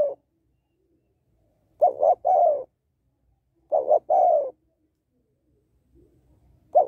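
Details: A female spotted dove calls to excite males: two complete cooing phrases about two seconds apart, each a quick paired note then a longer soft falling coo, with fragments of phrases at both edges.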